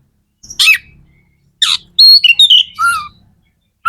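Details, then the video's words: Magpie-robin song meant to spur other magpie-robins into singing: two harsh chip notes followed by a quick phrase of clear, descending whistles and a lower wavering whistle. "Suara kacer gacor"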